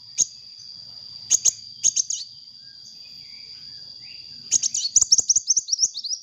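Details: Sunbird in lively, full song, recorded as a lure: bursts of high, sharp chirps, a pair near the start and a rapid run of falling notes at the end, over a steady high whine.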